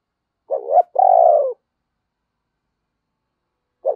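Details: Caged lure spotted dove cooing to draw in wild birds: a short low coo then a longer steady hollow note, with the next phrase starting after about three seconds of silence.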